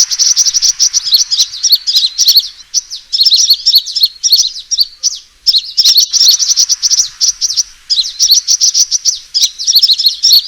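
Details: Sunbird fighting call used for luring birds: excited high-pitched chattering in long bouts, fast sharp chirps run together into buzzing trills, with brief pauses between them.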